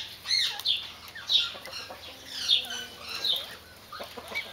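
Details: Mexican speckled quail giving a series of short, chirpy chattering notes with quick up-and-down inflections, separated by brief pauses and uneven in loudness.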